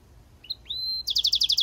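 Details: Brief phrase from a goldfinch mule: a couple of rising whistled notes, a long level whistle, then a quick series of loud repeated chirps.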